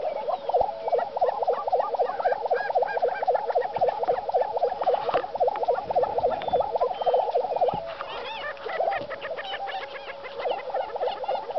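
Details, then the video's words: Two displaying Lesser prairie-chickens on the High Plains give a dense chorus of rapid, bubbling gobbling notes, nearly continuous, with sharper cackles and higher chatter over the top. "Lesser Prairie Chicken Showing Colors and Sounds"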